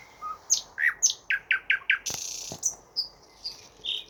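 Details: Songbird of unknown species singing a string of repeated downslurred whistles, then a harsh buzzy burst, followed by scattered high thin whistled notes.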